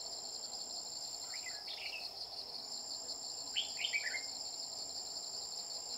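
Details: Red-whiskered bulbul in a trapping session using a decoy bird to catch a bell-voiced male; two bursts of quick, bubbling, falling notes over constant shrill insect buzzing.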